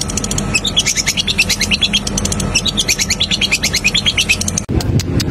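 A Long-tailed shrike pours out a fast, scratchy medley of high chirps and trills, about three notes a second, over a low hum.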